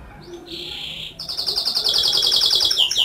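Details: Canary singing a sustained pure whistle followed by a long rapid trill of evenly repeated high notes, bright and continuous.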